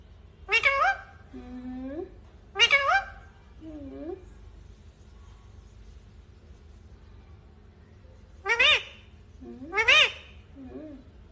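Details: Parrot calling indoors: four loud, harmonic calls arriving in two pairs, each sweeping up and then down, some with a lower trailing note, separated by several seconds of quiet room hum.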